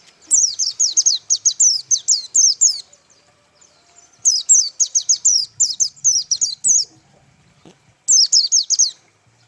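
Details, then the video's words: Pleci white-eye delivering 'tembakan' song: three fast volleys of high, thin, downward-sweeping chirps, roughly ten notes per burst, separated by brief silences, clean and loud against a quiet background. "tembakan burung pleci mantap abis"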